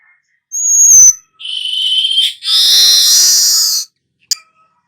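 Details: Weaver singing a thin pure whistle, then a buzzy mid-high phrase and a long loud sizzling hiss lasting over a second, with a short click at the end.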